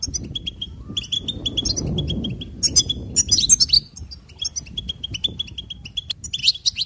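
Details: Goldfinch singing a continuous stream of clipped notes and steady tones, with intricate twittering flourishes around the middle and end; low background rumble early on.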